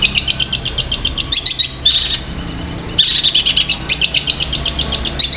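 Long-tailed shrike in mimicking song: rapid, high, sharp chirps about four per second, broken by harsher buzzy bursts.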